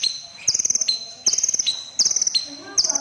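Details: Short run of crimson sunbird song: four quick, high, pulsed trills, each trailing into a thin tone, close together.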